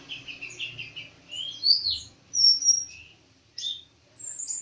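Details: Sunbird called kolibri ninja twittering in short phrases: quick high chirps, a few loud slurred whistles, and spaced thin notes with brief pauses between.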